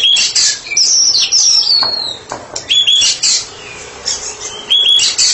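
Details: Therapy-specialist White-rumped shama delivering ngeplong song, loud and continuous: clear sliding whistles, fast twittering bursts and sharp chips alternating in quick succession.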